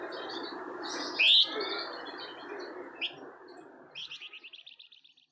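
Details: White-shouldered triller (flamboyan), song played as a lure to set off kept birds: one loud high chirp early, a smeared note later, then a fast run of about ten short, high, evenly spaced notes fading toward the end, over a low rumbling background.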